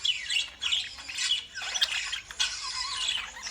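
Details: Shrill, rasping lovebird squawks come in quick irregular bursts of roughly two per second, some notes dipping in pitch, over constant background chatter.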